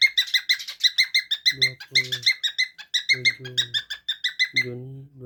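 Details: Adolescent cockatiel starting to cackle and whistle, 7 June 2024: rapid repeated sharp chirps with slight irregular pauses, mixed with several lower droning, nasal bursts in the background.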